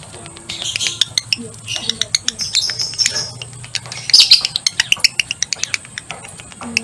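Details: Male lovebird in breeding condition making its excited ngekek chatter, a fast run of sharp clicking, rattling notes building into dense bursts, with busy overlapping chirps and some background hum.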